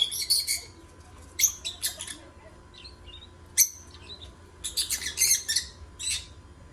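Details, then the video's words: Lovebirds singing in busy bursts of harsh, high chirps and squeaks, some in rapid clusters and others alone, separated by brief softer twitters. "8 Minutes Love Birds Singing, Stimulate other birds"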